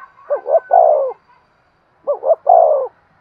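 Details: Spotted dove in energetic 'thúc' cooing for stimulating decoys and training lure birds: two mellow phrases, each a pair of quick looping notes followed by a drawn-out descending coo, separated by about a second of quiet.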